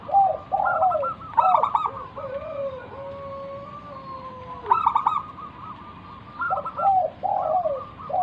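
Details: Local wild-type zebra dove singing steadily to lure other doves into answering: stuttered trill bursts, then long, smooth, level and falling coos, the pattern repeating with softer cooing phrases between.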